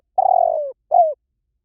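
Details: A fragment of spotted dove cooing: a long buzzy coo gliding gently downward, then a shorter falling coo, low and mellow on a silent background.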